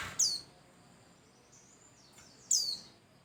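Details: White-eye song played as a lure to get other birds singing: two bright, high chirps, each sliding quickly downward, separated by about two seconds of near silence with a faint thin whistle between them.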